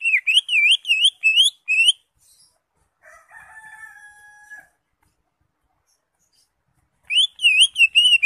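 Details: Caged green leafbird song used to prompt a silent bird into singing: quick bursts of wavy, looping high whistles with ringing overtones, pausing for a held, flat buzzy tone midway, then resuming the rippling whistled phrases.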